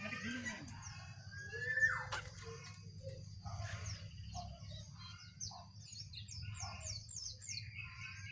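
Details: Wild and caged jongkangan singing against each other: a busy stream of quick whistled notes, slurred chirps and high downward flicks repeated toward the end, over a constant high tone and low background rumble.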